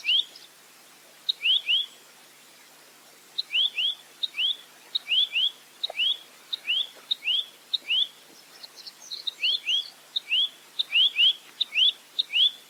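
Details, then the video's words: Velvet-fronted nuthatch, locally called rambatan mandarin, singing a clear, fast series of short rising whistled notes. They come in pairs and runs with brief gaps, and thin high ticks are mixed in. "Masteran Burung Rambatan Mandarin Jernih Full Roll Tembak"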